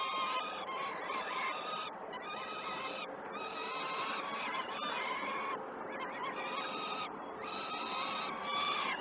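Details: Begging peregrine falcon chicks at Great Spirit Bluff during a morning feed, 12 June 2018, filmed by a live nest camera: an almost continuous chorus of strained, harmonic screeching wails, broken by a few short breaks.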